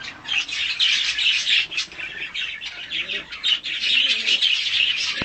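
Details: Hand-tame mutation budgerigars during feeding and a play-and-cuddle session keep up a dense, buzzy chatter of high chirps and warbles, with quick squeaky notes running together and occasional wingbeats.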